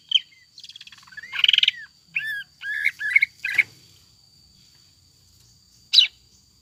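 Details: Greater green leafbird lure song, loud and gacor, with jamtrok and ngekek styles and tengkek buto filling: a sharp chirp, a buzzy rattling trill, then hooked whistled notes in quick bursts, a pause and one final sharp note.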